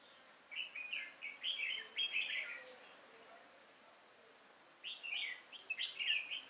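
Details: Red-whiskered bulbul used as a decoy in a trap to lure wild bulbuls, 5 October 2018, outdoors. Bubbly, warbled phrases, slurred up and down, come in two bursts separated by a quiet gap.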